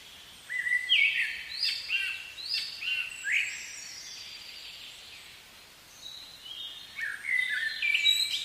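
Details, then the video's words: Spring forest song of a common blackbird: several rich whistled phrases early on, a quiet gap, then more fluting notes near the end, all over a busy background chorus of twittering songbirds. "Blackbird Song"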